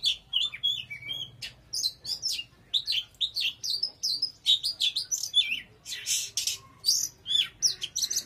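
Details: Intense Oriental magpie-robin song with dense, rhythmic chirps and rich whistled notes delivered almost without pause, mixed with several harsh, noisy bursts in the later part.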